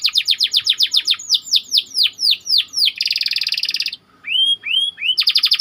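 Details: A white canary, kept as a training model for other canaries, rolls densely: quick repeated downslurred notes, a harsh buzzy burst, a short silence, rising-falling whistled slurs, and a closing rapid trill.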